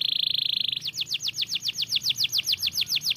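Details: Canary song heard by other canaries: a short rapid buzzy trill followed by a steady run of slurred downward-sweeping whistled notes, roughly five per second.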